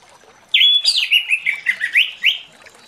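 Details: In the morning an orange-headed thrush delivers a loud rapid series of about eight clear slurred whistles, each dipping and rising, after a quiet start.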